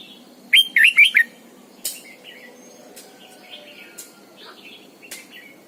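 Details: Red-whiskered bulbul, a lure bird in training, with morning song: an opening burst of four loud looping whistled notes, followed by quieter scattered warbles and sharp clicks.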